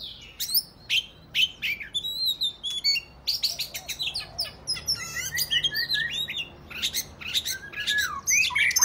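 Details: Fighting song of a kacer, the Oriental magpie-robin, 'ngobra' style meant to trigger other males to open their tails; loud chips and whistles in quick rhythmic bursts, including lower descending slurs, with a rapid chattering stretch midway.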